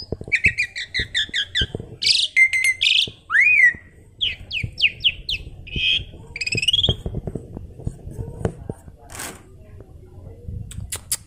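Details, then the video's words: Asian pied starling, a tame, chatty bird used as a lure or training model. It gives a varied burst of stacked chirps, buzzy notes and a sweeping rising whistle, then thins to sparse clicks and scratchy sounds. "Burung jalak suren jinak dan cerewet||Masteran pancingan auto gacor.."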